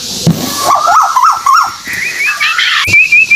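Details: White-billed tuwu bird from Malaysia, used as a lure for other birds: lower warbling slurred whistles, then a rising run of short high whistled notes repeated rapidly to the end.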